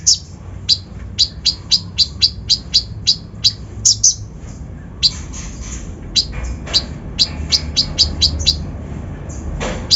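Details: Kolibri ninja giving a provocative lure song with rough fill-ins: fast run of high, sharp chirps, then scattered notes and a quieter, noisier final stretch.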